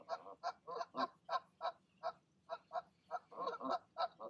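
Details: Parent goose urging goslings to jump from the nest one evening; clipped, nasal honks come about three per second, with a few doubled, louder notes near the end.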